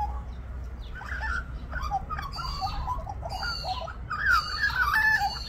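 A magpie sings a varied, warbling run of mid-pitched notes, some fluty and some gurgling, over a steady low background rumble.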